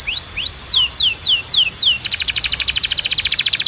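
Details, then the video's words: Canary song for training and stimulating singing: rising and falling whistled sweeps, about six in a row, followed by a fast, dense, buzzy rolling trill. "A Canção de Treino Mais Poderosa da Canary"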